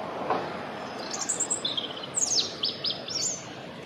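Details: A European robin sings above the noise of busy Bayswater Road, raising its voice to be heard: a run of thin, high, wavering phrases with quick sliding notes tumbling over one another, above a steady hiss of traffic.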